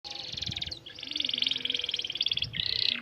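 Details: Canary singing a long-roll song used as a model for teaching young birds: continuous high, rapid rolled trills with brief breaks near one second and two and a half seconds, ending on a higher buzzy roll.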